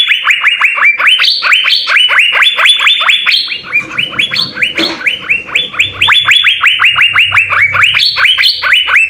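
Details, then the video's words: Asian fairy-bluebird singing continuously, a master recording for training songbirds: rapid runs of bright, upward-sweeping whistles, several per second, sometimes stepping higher, with faint low background noise midway. "suara 4 CUCAK BIRU GACOR full isian"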